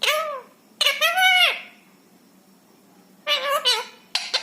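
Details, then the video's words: Rescued ringneck parrot talking in a quiet room: two drawn, arched speech-like phrases in the first second and a half, a long silence, then a burst of rough chattering syllables. "बोलने वाला तोता। Parrot Talking । मिट्ठू मिया की प्यारी बातें ।"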